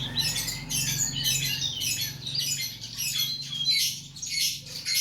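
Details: Mixed birds on masteran tutor audio for training cage birds: harsh scratchy chattering and high squeaky notes in uneven bursts, a steady low hum in the background.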